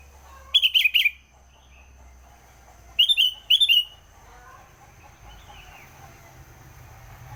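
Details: Early-morning Sooty-headed bulbul song: two bright, rapid bubbling phrases of three to four notes each, near the start and at about three seconds, over a steady low hum.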